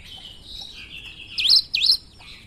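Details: Strange-voiced, chatty cinereous tit delivering two emphatic, high whistled notes that swoop down and back up, following a faint continuous thin chirping in the background.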